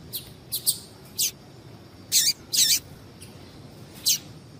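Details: Calls of a female double-collared seedeater, used to make males sing: high, short chirps at uneven intervals, some clipped and some slightly longer and buzzier, in the upper register.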